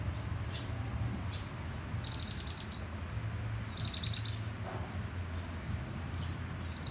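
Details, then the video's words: Sunbirds, a group of bright red males, singing: high, thin, sweeping whistles mixed with rapid metallic trills in bursts of about a second, over steady low background hum. "Mê Đắm Với Dàn Chim Hút Mật Sting Đỏ Chót"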